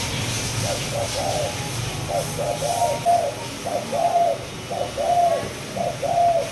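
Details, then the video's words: Two-month-old captive spotted dove of the Malaysia line, kept for breeding, singing in the 'chiêu di chuyển' style: a run of short mid-pitched coos in quick clusters, about one a second, over a low steady hum. "Malaysia, Chiêu Di Chuyển 2 Tháng Tuổi"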